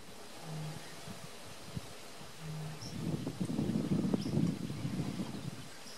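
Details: Eurasian bittern (Botaurus stellaris) at RSPB Lakenheath giving two deep, hollow booms about two seconds apart, followed by heavy wind rumble and faint high bird chirps.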